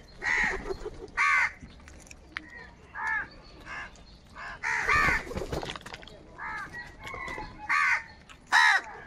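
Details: Crows gathered in the morning and competing for food trade rough, hoarse caws every second or so, some single and some in quick doubled bursts, from several birds at once.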